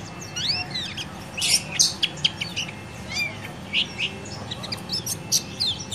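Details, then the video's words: Yellow-vented bulbul "ciak ciak" lure for training a bird that is reluctant to sing: rapid, high, swooping chirps, some rising then falling, delivered in short uneven clusters against soft background hiss. "Ciak Ciak JOS Kecial Kuning Ampuh Untuk Masteran"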